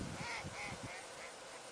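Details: A Mallard swimming on water in mid-September gives about four short, nasal quacks in under two seconds, over steady outdoor hiss and low rumble.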